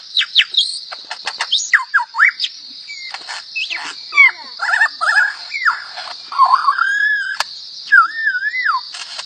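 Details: Lyrebird, said to sing twelve different tones, giving a varied sequence of sharp clicks, short whistled notes, and slurred rising and falling phrases, with a steady high hiss throughout.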